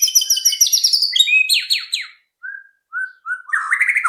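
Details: White-rumped shama song meant to spur other birds to sing: dense high warbling that drops into slurred descending notes, then a few soft low whistles and a final buzzy phrase.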